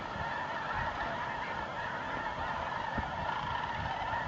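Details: Snow Goose flocks wheeling round and round as night falls over their New Mexico winter grounds in November 2014; a massed, steady honking chorus, many birds at once, with occasional low thumps beneath.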